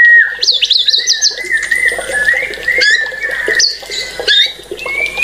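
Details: White-rumped shama singing in full flow: a steady whistled tone held around one pitch, interrupted by sharp high rising notes, quick chattering trills and short upslurs, with a faint busy background.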